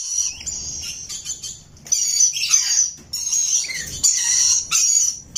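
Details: Shrill high chirps and screeches from a rainbow lorikeet parrot, some drawn out, with a few short descending notes between bursts and a quiet background.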